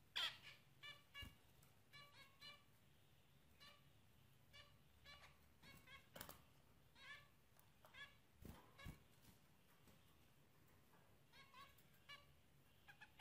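Zebra finches give short, nasal, trumpet-like beeps in quick bursts, with sharp clicks between them.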